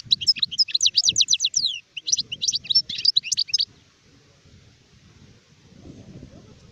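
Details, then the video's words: Adult goldfinch, described as sharef, 2019: dense rhythmic twittering, about a dozen rapid chirps in quick succession, then a second jumbled burst, song stopping after nearly four seconds into quiet rumble. "تغريد حسون كهل (شارف)"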